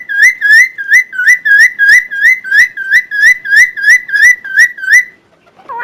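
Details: Loud Helmeted friarbird song used as a tutor recording for other birds: a rapid, even series of rich whistled notes, each rising then dipping, about three per second, ending with a soft low note.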